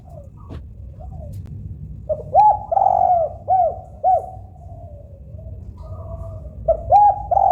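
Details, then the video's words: Local spotted dove song, used to spur other doves into singing: faint coos early, then a loud burst of arched hooting notes with one long drawn-out note, and a final pair of coos near the end. "Suara Kesukaan Tekukur Agar Cepat Bunyi Bunyi Gacor Door"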